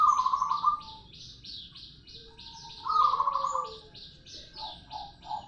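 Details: Local zebra dove producing its rolling song. A low purring roll opens the recording, another follows about two seconds later, and short soft coos come at the end. Loud, high repeated chirps from other birds fill the gaps.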